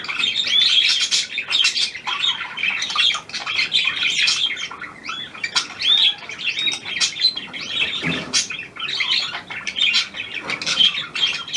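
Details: New hand-tame Australian pied budgerigar kept indoors, with long bubbling chatter of chirps, clicks and squawky notes, rising and dipping in loudness.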